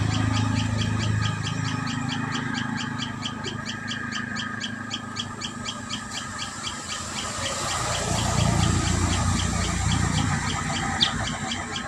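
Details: Common tailorbird at its nest: quick high chips repeat steadily for the first half, then fade under low rumbling and rustling noise.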